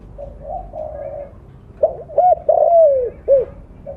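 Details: Spotted dove (blorok plumage), loud lure caller. Soft low coos open the clip, then a full phrase: quick rising notes, a long sliding coo and a final short note.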